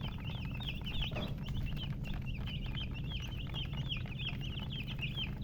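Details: Several chicks chirp together, giving quick high peeps, some slurred up and down, packed closely across the whole stretch over a low steady drone.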